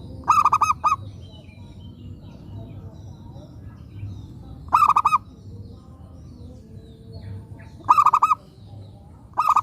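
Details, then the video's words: Lively local zebra dove used as a lure singer: four rolling phrases of fast, mellow, bubbling coos at uneven intervals, the last cut off at the end, with faint twitters from other birds and low ambient hum. "Pekutut lokal gacor RAJA PIKAT ini ahlinya bikin semua burung perkutut gacor nyaut"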